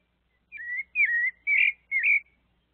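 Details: A thrush (sabiá) visited by a small monkey gives four clear, fluted whistles, each slurring down then up, about half a second apart, in an otherwise quiet setting.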